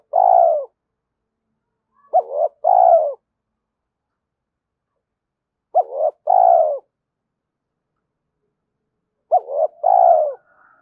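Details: Spotted dove coos meant to rouse decoy birds and train them; repeated phrases roughly every three to four seconds, each with quick hooked notes leading into a rich, falling coo, in a quiet setting.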